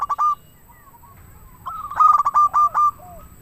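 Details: Zebra dove (perkutut), local bird, singing to draw or excite other doves: a short loud pair of notes, a pause with faint coos, then a quick staccato run of clipped rolling notes and a soft falling tail.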